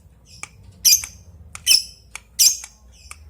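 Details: Lovebird calling an opponent: three harsh, scratchy high squawks, spaced less than a second apart, with faint clicks between them.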